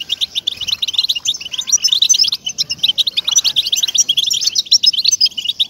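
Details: Song of the European goldfinch, used to encourage caged birds to sing; rapid, bright twittering with sharp metallic notes and quick trills, steady and unbroken, with no other sounds standing out.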